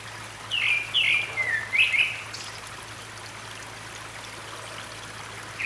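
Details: Singing grey-backed thrush at a valley by running water, Gyeryongsan Mountain, Republic of Korea, 6 May 2022: a quick burst of three or four sliding whistled notes, then a pause with only the rush of the stream.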